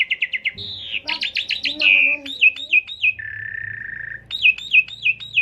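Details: Asian pied starling fill-in song used as a lure to stimulate the bird: loud, varied, high phrases mixing fast stuttering trills, a harsh buzzy section, a long steady whistle and rapid repeated looping notes.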